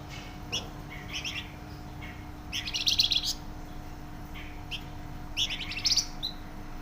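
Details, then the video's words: Flamboyan bird singing actively, its song described as loud and dense: bursts of bright, chattering high notes separated by short pauses, with a steady low electrical hum behind. "Burung Flamboyan gacor suara nyaring dan rapat"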